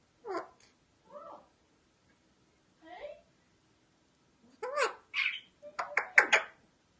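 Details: Alexandrine parakeet talking: short speech-like syllables with stacked harmonics come in scattered bursts, a lone utterance near the start, then a quick run of sharp, clipped words toward the end, with quiet pauses between.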